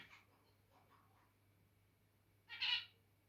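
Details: A single loud, nasal, honking beep from a zebra finch comes near the end, after a few faint softer notes, with a low background hum. The birds are said to turn territorial, then to cuddle.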